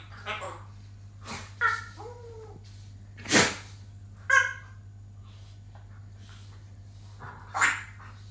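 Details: Pet African grey parrot giving scattered harmonic calls and squawks, some with stacked bands and a short gliding whistle, spaced irregularly about once a second, over a steady low electrical hum.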